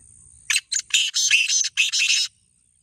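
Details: Black francolin, a caged contest bird, giving a loud harsh grating call of five rasping notes over about two seconds, the middle and last notes longest, clear and close.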